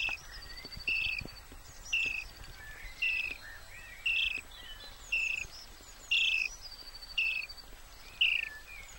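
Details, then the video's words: Common starling chicks hidden in a tree hollow near the remains of Muchelney Abbey beg to be fed by a parent: harsh, raspy chirping bursts about one a second, with higher squeaks woven between, over faint background hiss. "The sound of starling chicks"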